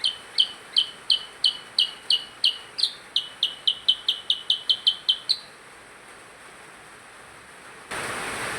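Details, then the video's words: Percang bird in full song: a quick, steady series of about seventeen bright, high, down-slurred chirps at roughly three per second, ending abruptly, followed by silence and then a burst of broad noise. "Burung percang gacor"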